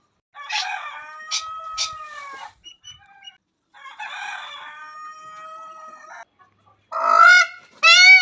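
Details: Peacock calling while dancing: long, nasal, harmonic notes held for about two seconds each, separated by short gaps, then two louder, sharper rising cries at the end.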